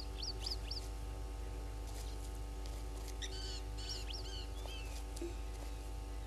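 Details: At a waterhole on Djuma Game Reserve in South Africa's Sabi Sand Wildtuin, red-billed buffalo weavers give bright, high chirps and clipped, layered chattering notes in scattered bursts, on a morning in late August 2021, with a constant low hum beneath.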